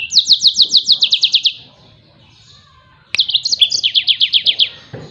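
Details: Yellow-fronted canary singing, recorded as training material for other songbirds: two bursts of fast, high, repeated chirping notes in rattling trills, each lasting over a second, separated by a short pause and a sharp click.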